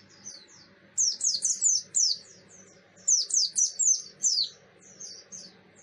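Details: Buxton's white-eye in loud, persistent ngalas-style song, used as a lure to train and provoke other white-eyes: two bursts of rapid high, thin, sharply descending whistled notes, about five per burst, separated by quieter chips.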